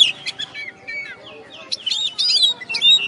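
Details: Caged champion oriental magpie-robin from West Kalimantan, after the contest, delivers a fast jumble of chirps, buzzy notes and short slurred whistles, about two notes a second, irregular and varied.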